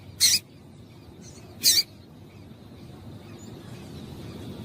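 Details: Female double-collared seedeater calling to stimulate males into singing: two short, sharp, high chips about one and a half seconds apart over a low, steady background hiss.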